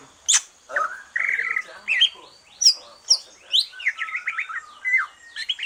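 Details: Green leafbird finished with its moult, singing a relaxed song used to stimulate other birds: a rich, fast, varied run of whistled slurs, rising and falling sweeps and twittering trills.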